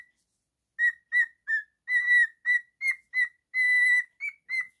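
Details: Pet cockatiel, male, singing: after a short silence, a run of clear whistled notes at a steady pitch, mixing short chirps with longer held whistles, the last ones slightly higher.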